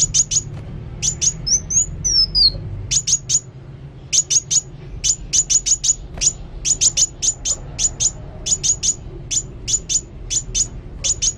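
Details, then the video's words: Sunbird in active song: a long series of very high, sharp ticking chirps in quick clusters, with a brief stretch of thin slurred whistles near the start and a low hum underneath. "Kolibri Wulung Gacor"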